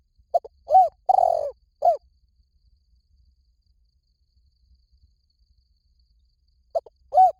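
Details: Spotted dove calls, offered as a lure that quickly draws doves in any forest: a low, hollow coo phrase of short notes and one longer burry note, then quiet and a fresh phrase starting near the end.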